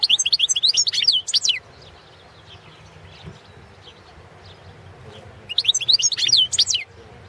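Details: European goldfinch of the Balkan form balcanica singing for a 2017 internet song contest; a fast, bright jangle of chirping and twittering notes for about a second and a half, silence, then another tinkling phrase.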